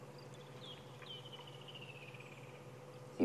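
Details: Woodland Kingfisher at sunrise in Sabi Sand, South Africa, 4 March 2016, during the dawn chorus: a sharp high note, then a long, fast trill sliding steadily lower over about two seconds, over a low steady hum; greater blue-eared glossy starling and oriole nearby.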